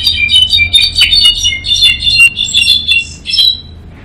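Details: A goldfinch and a solitaire sing bright, tumbling twitters and trills almost without pause, high-pitched and tinkling, with quick chirps and buzzy notes woven through the continuous song.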